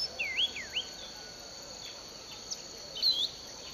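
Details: Unidentified bird singing in a sugarcane field at Bulechia, Western Kenya, in December 2011: a few loud, swooping whistled notes that dip and rise, over a steady high insect drone.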